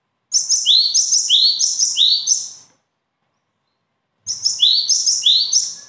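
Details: Bird singing in two bursts of repeated phrases, each a high note followed by a bright rising sweep, about four per second, with a short pause between bursts; otherwise quiet.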